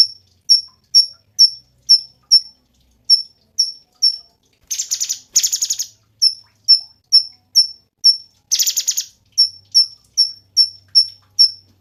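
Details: Cungkok song with many bright, sharp chip notes at a steady pace, broken twice by rough, buzzy rattles before the chipping resumes.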